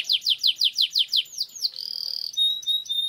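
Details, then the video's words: Singing canary delivering a long roll for training lure use: seven loud descending chip-notes at a steady beat, a falling whistle, then a fine buzzy trill and clear high whistled tones. "Suara Burung Kenari Gacor Ngerol Panjang Untuk Pancingan Kenari Agar Jadi Juara"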